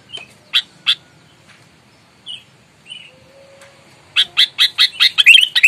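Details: Aggressive Sooty-headed bulbul meant to provoke rivals: a few scattered harsh notes and soft chirps, then a rapid, accelerating burst of scratchy chatter.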